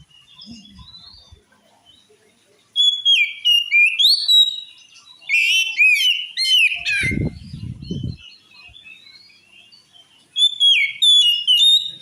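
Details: A magpie-robin's agitating song, said to provoke rivals into anger: long sequences of loud whistles, liquid slurs and rapid chattering notes, quiet gaps between phrases, and a short low thumping rustle midway.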